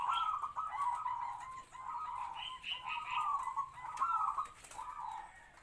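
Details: Captive-bred local zebra dove decoy with a medium voice, sung to attract wild doves; quick succession of bubbly, trilled cooing phrases, each about a second long, with faint clicks behind.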